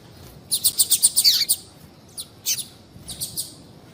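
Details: A calling female double-collared seedeater, used to stir a quiet male into song, gives a fast burst of about eight thin, high chirps that slide downward at the end, followed by sparse, softer single chirps.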